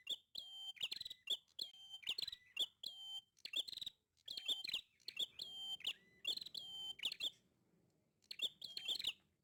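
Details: Energetic prinia song: a steady run of piercing, buzzy note clusters repeated at a quick, even pace, pausing briefly near the middle and end.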